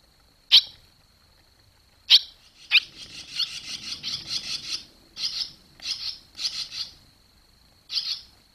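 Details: Fledging barn swallows, 21 July 2023: a few isolated sharp chirps open, then a sustained run of rapid buzzy twittering, followed by more spaced chirp groups, all over a faint high steady whine.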